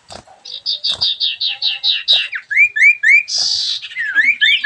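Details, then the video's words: Vigorous 'dor ngentrok' song of a sooty-headed bulbul: a steady pulsing run of rounded notes, four per second, then rising slurred whistles and a harsh buzzy burst. "burung sirfu gacor dor ngentrok"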